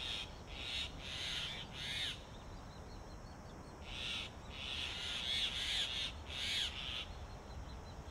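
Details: Grey Hornbill pair at a mud-sealed tree-hollow nest in Delhi in summer; the male regurgitates a lizard to feed the incubating female. Harsh, shrill squealing notes come in irregular bursts, several grouped together with short gaps.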